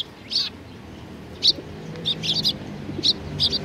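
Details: Eurasian tree sparrows gathering at food at a Tenmangu shrine on 19 April 2019, giving short, high, bright chirps singly and in quick clusters of two or three, irregularly spaced, over a low background hum.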